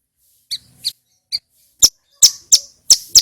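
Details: Male bar-winged prinia singing loudly and clearly, used as a recording to stir captive birds into answering; sharp, high, clipped chirps, a few widely spaced, then a quicker run of about five notes near the end, quiet background.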